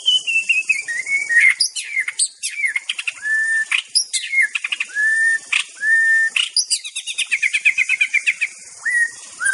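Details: Wild white-rumped shama in full, vigorous song: loud, varied whistled phrases with sweeping slurs, sharp upward flicks and quick trilled runs, separated by short pauses. A faint high insect hum runs beneath.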